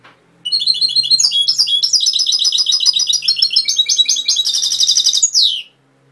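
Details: Singing European goldfinch, Cobia Málaga: a continuous five-second stream of rapid, bright, liquid twitters and trills, high and jangling, with a faint low hum underneath and a downward slur at the end.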